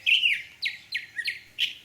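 A Northern Mockingbird sings a run of five bright, slurred, down-sweeping notes, about three per second. The bird is the only sound heard.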